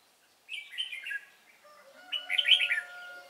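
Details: Red-whiskered bulbul of the Cánh ruồi type, noted for a fine voice, heard during trapping on 3 March 2017: two short bright warbled phrases about a second and a half apart, with faint steady tones beneath.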